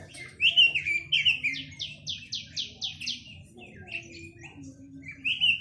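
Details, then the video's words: Chinese hwamei opening with two rich whistles, then a measured series of six ringing down-slurred notes about half a second apart, followed by varied chirps and a final whistled flourish. "Tiếng chim quế lâm"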